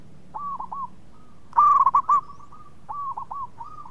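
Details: Actively singing local zebra dove, known as a melodious caller that draws others into song, gives a loud, rapid burbling coo of four rolling notes, surrounded by fainter repeated coo phrases from more distant doves.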